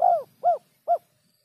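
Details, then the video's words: A spotted dove in the 'kuk 3' pattern: one long downward-arching coo, then two short rounded coos about half a second apart, with faint low rumble underneath. "suara burung terkukur kuk 3 bersih"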